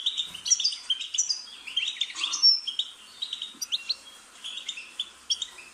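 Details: European goldfinch singing a fast, liquid medley of high chirps, short trills and slurred whistles in quick bursts, with a few bright sharp notes standing out, used as song stimulation for a pet bird.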